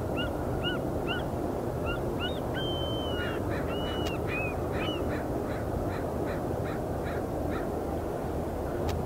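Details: Trumpeter swans landing on the sea at Iona Beach, Richmond, British Columbia, Canada, on 19 March 2019: a series of short, nasal, bugling honks, some drawn out, rising over a constant roar of surf and wind.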